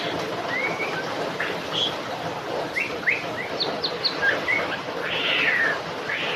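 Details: White-rumped shama singing during rain, giving varied bright whistles, quick upslurred and downslurred notes and a rich warbled burst near the end, with a steady rain hiss underneath.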